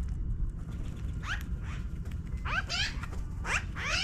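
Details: Magpies in a tree, flying down from it: harsh, raspy calls with rapid downward-sweeping notes in short bursts, growing more frequent towards the end over steady low wind rumble.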